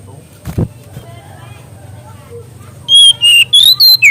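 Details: Mangrove whistler song meant for training young birds. After a quiet stretch with faint low rumble, a loud run of sharp, clear whistles starts: brief notes, some rising, others falling, delivered in quick succession.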